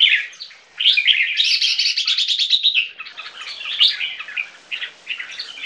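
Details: Song duel between two young captive red-whiskered bulbuls of Viet-Thai crossbreed, three months old. Continuous rich, bubbling warbles with a rapid trilled stretch in the middle, then choppy chirping phrases.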